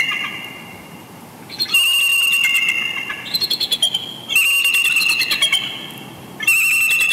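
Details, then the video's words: After-dusk chortle exchange between a mated pair of wild bald eagles at Big Bear Lake, California, 19 November 2020: high, thin piping notes in rapid stuttering runs, three loud bursts separated by brief quiet gaps. "Love Chortles Galore After Dusk Visit"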